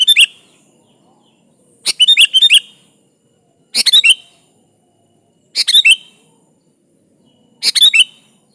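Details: Sooty-headed bulbul singing actively as a lure to draw a rival: five brisk, chattering phrases of rapid warbled notes, spaced roughly two seconds apart with silence between.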